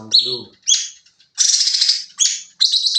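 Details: Sooty-headed bulbul in the 'nembak' song style for bird tutoring: a human voice briefly at the start, then high whistled slurs and a long buzzy rattling phrase, followed by further quick chirps.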